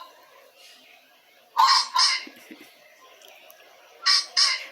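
A pheasant gives two loud, harsh double squawks about two and a half seconds apart, each a rasping kok-kok, over faint background hiss.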